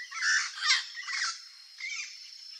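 A young Turquoise-fronted Parrot gives harsh, raspy squawks in three bursts over about two seconds, with a broad, grating tone.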